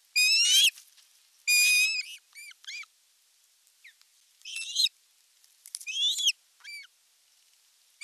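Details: At a Finnish nest camera in Satakunta, July 2022, an osprey calls while the male brings in a big fish. Loud, shrill, harmonic whistles come in bursts, with shorter thin chirps between them and uneven gaps across the run.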